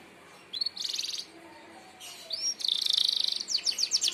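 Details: Merlok canary singing a sharp 'tembakan' phrase for training other birds. Quiet start, then a short rapid trill, a brief upslurred whistle, and a dense high rattle that breaks into quick descending chips.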